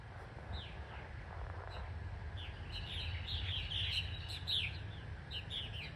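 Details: Nearly twenty purple martins newly arrived in spring, cloudy cool weather, giving many overlapping chirps and gurgling downslurred calls over a steady low rumble of background noise.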